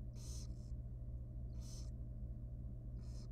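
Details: Very young wild barn owl nestling in a monitored nest box at feeding time, giving harsh breathy hissing screeches, three bursts spaced about one and a half seconds apart, over a steady low electrical hum.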